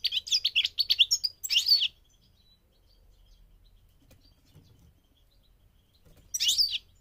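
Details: Rapid tinkling phrases from a migrating goldfinch open the recording, followed by a long silence and one final burst of high twittering.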